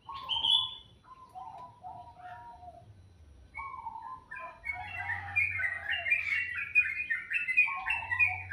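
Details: Bird singing in the morning: varied whistled phrases, low notes alternating with higher chirpy trills, busier and louder toward the end, with a faint low hum underneath.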